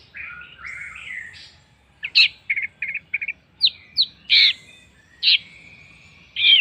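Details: Orange-headed thrush lure song intended to make other birds sing: a wavering whistle, then a fast stuttering run of short notes and loud separated chirps with a drawn-out whistle.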